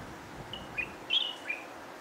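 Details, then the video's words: Light-vented bulbul of the Taiwan subspecies singing: a short phrase of four clear whistled notes, the third loudest and slightly warbled, delivered within about one second against a faint steady background hiss. "さえずるタイワンシロガシラ/Chirping Light vented Bulbul"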